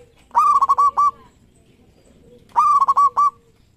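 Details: Prize-winning zebra dove of a local strain. Two resonant, harmonically rich phrases about two seconds apart: a drawn opening coo, then four quick rolling beats, with a lower steady tone underneath.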